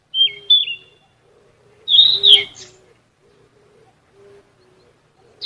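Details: Sikatan emas flycatcher song meant for training cage birds: two thin whistled slurs, then a louder warbling, chattering burst, with a faint low hum underneath.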